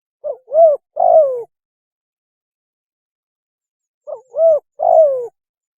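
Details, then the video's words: Mating call of a spotted dove played as a lure: two three-note phrases about four seconds apart, a tiny hooked note, a rising-falling coo, then a longer coo sweeping downward. "PANGGILAN KAWIN...!!! SUARA BURUNG TEKUKUR TERBAIK"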